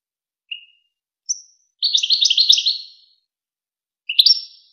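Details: European goldfinch singing on a Wakr Touzgha recording for teaching young goldfinches and hybrids. A couple of thin single notes lead into a fast, jangling twitter lasting over a second, then an upslurred chirping phrase.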